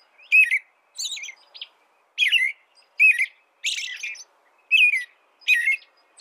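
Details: Warbled whistled phrases from an American robin, about seven short notes and trills spaced roughly a second apart, some slurred downward, others buzzier, against silence.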